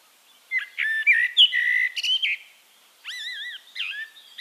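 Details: Eurasian blackbird from Castricum, Netherlands, pours out a fluty warbling phrase, then after a short pause gives a wavering, vibrato-like whistle and a last falling note.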